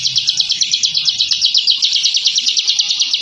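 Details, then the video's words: Rapid 'ngebren' song of a bar-winged prinia (ciblek), the display this fighting bird uses against rivals: a shrill, evenly pulsed trill of sharp repeated notes running without pause. "Suara Masteran Burung Ciblek Ngebren & Rapat Abis"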